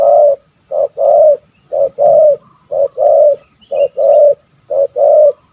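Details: Spotted dove with a deep, stammering voice of the 'kuk 1 2' style, a hunting target in Malaysia: low, hollow cooing in pairs, a short coo followed by a longer one, five pairs in steady rhythm, with a faint high insect hum behind.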